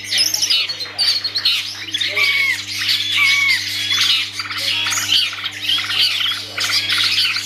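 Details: Long-tailed shrike kept by an owner, singing a busy, varied run of harsh chatter mixed with clear slurred whistles that rise and fall, delivered in rapid bursts about once a second, with a low background hum.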